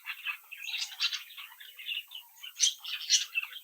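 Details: Young captive budgerigars of one brood twittering and singing as they interact; rapid jumbled warbling with clustered chirps, then two bright high squeaks near the end.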